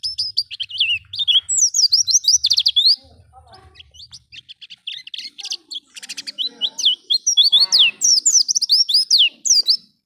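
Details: Lure song of a wild-style Oriental white-eye for getting captive birds to sing: a loud, rapid, high warble for three seconds, a quieter patch of softer chirps, then a second long burst of dense twittering that stops abruptly.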